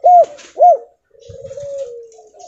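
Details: Javan spotted dove with a stuttering "kuk-2/kuk-3" call used as a lure for other doves: two quick, soft, arched coos, then a longer, drawn-out low coo that slowly falls, in a quiet room.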